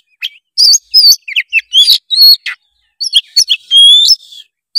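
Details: Vigorous Oriental magpie-robin song used to stimulate a lazy young bird: dense, varied whistled notes and chirps in quick succession, a brief pause, then a long clear sustained whistle near the end.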